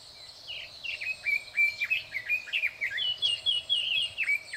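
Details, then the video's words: Loud song of a red-billed leiothrix hidden in thick bushes, May 2024: a continuous fast stream of bright whistled, slurred phrases, dipping and rising, about four notes a second. "ソウシチョウ ～大きな声です～"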